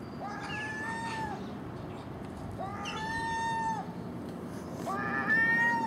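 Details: Three long, plaintive mewing wails from a common gull, spaced about two seconds apart, each level and nasal with rich overtones; bird feeding on garbage at a house in early morning with magpie and crow.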